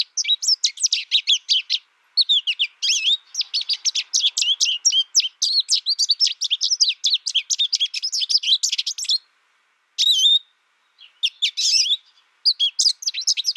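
American goldfinch giving a rapid, continuous run of high twittering notes with sweet rising whistles, broken by short pauses; no other sounds.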